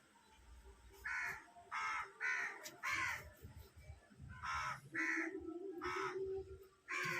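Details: Hungry crow giving a series of harsh, nasal caws, about ten short bursts over seven seconds, with gaps of roughly half a second between them. A low rumble of background noise and a faint steady tone sit underneath.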